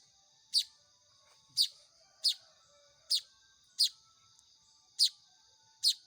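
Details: Baya weaver chicks begging while being hand-fed: seven sharp, harsh, high chips spaced roughly a second apart and unevenly timed, over a steady high whine.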